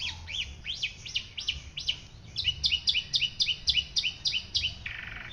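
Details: White-rumped shama song used as a master recording for training other songbirds: rapid series of bright whistled notes, upswept then repeated in quick evenly spaced phrases, ending on a lower buzzy note.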